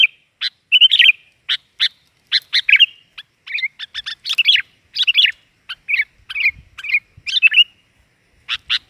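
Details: Lure sound of a lively Sooty-headed bulbul, used to attract birds: sharp clipped chirps mixed with short warbled notes, irregularly spaced, moderately loud, over an otherwise quiet background.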